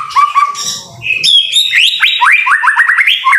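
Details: Singing white-rumped shama in rain, a few low whistles, a pause, then loud bright phrases and rapid rising notes fired in quick succession.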